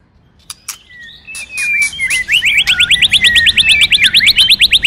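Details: White-rumped shama song for training birds, with many voices plus a female singing to stimulate males. Two soft whistles, then a fast, even trill of high sweeping notes, about three per second, building louder to the end.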